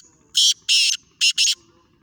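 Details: Black francolin in Sindh, Pakistan, giving a loud rasping call of four buzzy notes, two longer bursts followed after a short gap by two quick ones, with little else audible.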